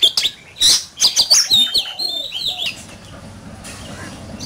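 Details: Oriental magpie-robin singing in a competition: a fast cluster of sharp chirps and whistled notes in the first two seconds, then fading to quiet, faint notes.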